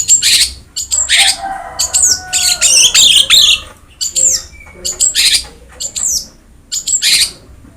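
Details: Long-tailed shrike singing as masteran for a reluctant bird: harsh buzzy squawks mixed with sharp falling high chirps, delivered in uneven bursts.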